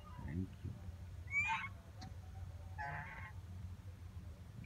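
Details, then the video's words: Duck swimming in a pond at JP Palace, Agra, at six o'clock on a November morning, 6 November 2018. Two short nasal, buzzy quacks about one and a half seconds apart over low background rumble, with faint voices at the start. "sweet sounds of duck"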